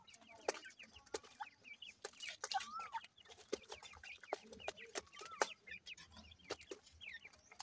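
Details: Dhakni and Irani teetar partridge chicks scuffling and playing: a busy mix of short squeaky peeps and curved whistled notes, punctuated by frequent sharp clicks and taps, with calls overlapping throughout.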